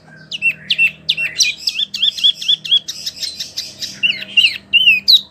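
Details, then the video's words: Dense Wambi song for teaching oriental magpie-robins and other birds: busy chatter of high slurred whistles and buzzy notes, with repeated downslurred phrases roughly every third of a second and a faint steady hum behind. "SUARA BURUNG WAMBI"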